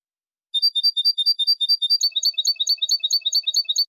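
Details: European goldfinch singing a clean linked song with two changes, a cantada enlazada: a bright, evenly repeated high tinkling phrase switches midway to a second, choppier repeated phrase, both about 140 notes per minute, with no other sounds.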